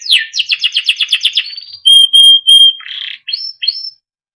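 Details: Timbrado canary, a small yellow cage bird, singing for training: a fast run of rising buzzy notes, then three pure steady whistles, a burst of rasp and two short upward-sweeping whistles.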